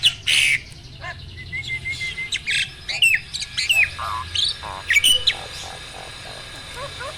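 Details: Asian pied starling, a mature male in stable breeding condition, pumping while singing: a loud opening squawk, then varied whistles, thin upslurred notes and buzzy chatter spaced through the phrase, with a low hum underneath.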